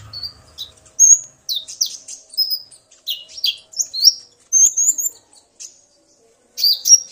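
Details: Common iora male roused by a female, the two answering each other: clear whistles and chirpy slurred phrases in short groups, a brief silence, then a final loud burst.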